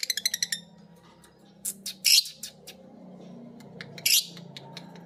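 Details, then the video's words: A biola green lovebird and a PB Piet lovebird pick up ngekek from one another while a master recording plays. A quick rattling run of about eight notes opens, followed by two loud harsh squawks over a steady low hum. "Burung Lovebird biola green vs Lovebird PB Piet❗saling belajar ngekek denger masternya bunyi."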